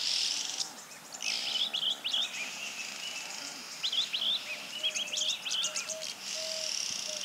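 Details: Red-billed oxpeckers on a dirt road in Kruger National Park give quick bursts of thin, high twittering chips in ragged clusters over a steady insect hiss, with a few soft low whistles near the end.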